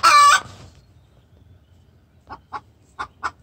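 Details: A hen in distress calling toward the rooster: one loud harsh squawk at the start, a pause, then four soft spaced clucks.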